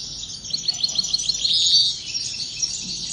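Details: European goldfinch singing a high, rapid twittering phrase of bright tinkling notes, swelling into a denser burst midway, over faint low background noise.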